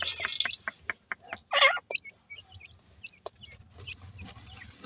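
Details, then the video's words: Grey francolin chicks with their mother at feeding time, calling; a few clicks and a loud rough burst first, then scattered short, high, slightly rising peeps. "pheasant partridge bird chicks calling mother with feed"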